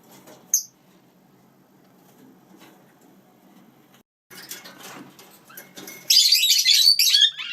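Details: Indoors, domestic lineolated parakeets with chicks are mostly quiet, with one sharp chirp early, soft rustling, then a loud spell of rough, high chattering at the end.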